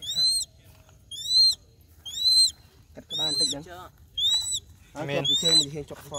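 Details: Crested goshawk while hunting: shrill, high arched calls, each dipping at the end, repeated about once a second, with lower, rough, strongly layered cries overlapping in the second half.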